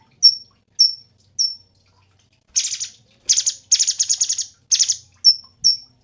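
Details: Three sharp high whistled notes from a cungkok lead into several loud buzzy rattling trills, then two more whistled notes close the phrase.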